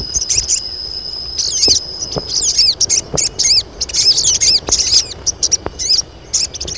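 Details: Colony of female crested jays calling to draw in males: a long steady high note, then dense runs of arched, chattering whistles in rapid bursts, with faint clicks between.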